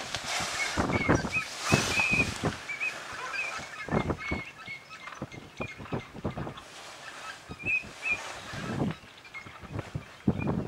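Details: Eurasian oystercatchers seen from a hide at WWT Slimbridge around 11.30 a.m. on 1 March 2011, recorded with a Panasonic SDR-S26: short shrill piping notes in quick bursts, several birds calling together over rushing broadband noise and knocks.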